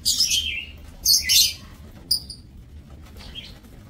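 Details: Lovebirds in an aviary breeding cage, 30 May 2024: two loud, grating screeches in quick succession, then a thin high chirp and fading faint notes.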